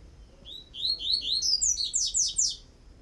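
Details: Coleiro tui-tui song used for tutoring: a series of rising whistled notes climbing in pitch, ending with four rapid, sharply descending buzzy sweeps, clear and loud over a faint low background hum.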